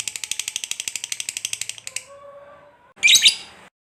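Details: Lovebird chatter: under two seconds of fast, even, high rattling notes, then a faint low steady tone and a sudden loud harsh burst before silence.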